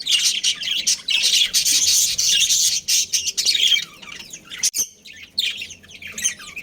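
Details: Budgerigars of a breeding pair and family produce a loud, harsh, continuous chattering squawk for several seconds. A sharp click breaks the sound, then softer scattered chirps follow.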